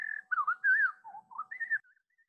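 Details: Pacific Wren song played back slowed down, a run of clear whistled notes sliding up and down, some wavering, dipping lower midway and rising again near the end, in a quiet room.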